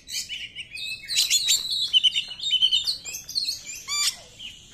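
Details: Oriental magpie-robin singing 'nembak' style to provoke other magpie-robins: a continuous, fast medley of high whistles, trills and scratchy chirps, closing with a harsh buzzy note.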